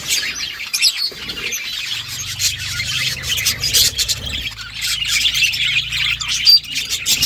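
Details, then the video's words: Budgerigar mother feeding chicks, with scratchy high chatter and squawky chirps throughout. A faint low hum runs in the background from about two seconds on. "Budgies mother feeding chicks birds chirping sound"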